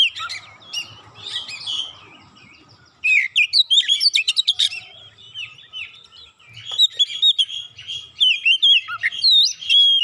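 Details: Provoked Oriental magpie-robin unloading isian fill-in phrases. After about three quiet seconds, rapid varied chirps and whistles run in dense bursts, and sharp high notes crowd the second half.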